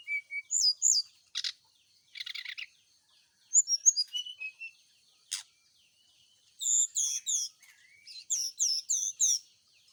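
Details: Brown-chested jungle flycatcher kept in a cage and set out in early morning dew so it sings more. Brief thin whistles and rapid high twittering phrases, broken by scratchy bursts and sharp clicks.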